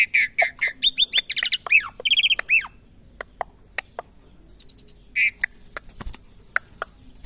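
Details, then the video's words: An Asian pied starling (jalak suren) being tamed and kept in care gives a rapid jumble of harsh squawks, chattering notes and short whistles, then scattered clicks and a few bright whistled calls. "Burung jalak Suren"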